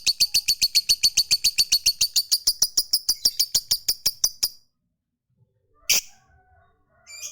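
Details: Lovebird of the fighter type, a long ngekek trill used to draw other lovebirds into singing: a rapid, even run of high chirping notes lasting about four and a half seconds, then silence and a brief squeak.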